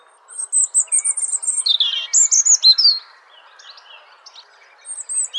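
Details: A wild robin perched in a tree gives a quick run of high, thin chirps, then lower slurred warbling notes, pauses briefly, then a few more high notes over soft background hiss; finding: Robin.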